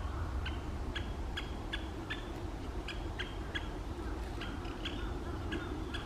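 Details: Great spotted woodpeckers in Asahikawa, Hokkaido, in the April 2023 breeding season, a male chasing a female: sharp, high kik notes about twice a second, over a steady low rumble of wind or distant traffic.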